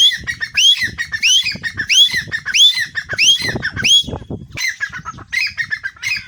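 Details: A pet grey francolin, one of two kept by an owner (one caged, one perched on the owner's hand), calls on the owner's whistle: loud, harsh, rising notes about every two-thirds of a second, then a brief pause before resuming.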